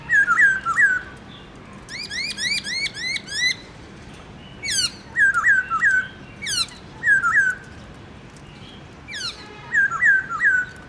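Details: {'caption': 'Captive black-throated laughingthrush in morning song, switching among many voices: clusters of looping mid-pitched whistles alternate with quick trills of rising, slurred notes, bursts recurring every second or two through the passage.'}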